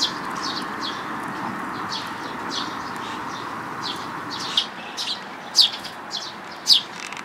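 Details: Sparrows at a Tenmangu shrine, recorded 5 May 2022, giving short bright chirps, scattered and then louder in separate bursts near the end, over a steady hum in the background.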